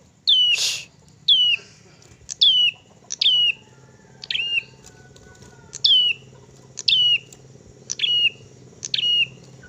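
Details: Crested tit-warbler song used to provoke other birds: sharp, high, downslurred notes repeated roughly once a second, each dropping steeply then leveling briefly. A low steady hum runs underneath, with a short burst of noise near the start.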